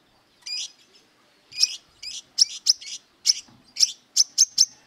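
A brown-throated sunbird gives a run of sharp, high, metallic chips that quicken into an insistent burst, an aggressive song aimed at rivals.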